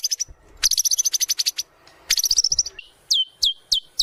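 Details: White-rumped shama training lure song: two dense rattling bursts of high chirps followed by four separate sharp downslurred whistles, with some low background rumble.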